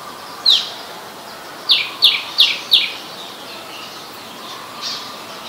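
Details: Adult Common Tailorbird in Ubon Ratchathani, Thailand, 8 February 2021, a common resident: one loud, sharp, high, downward-swept note, then four more in a rapid run about three per second, over soft chirps from other birds.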